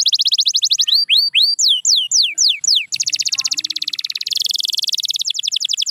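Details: Singing canary giving rapid high trills, then a string of slower down-slurred whistles. These lead into a dense, buzzy rolling tour and end with fast repeated chips.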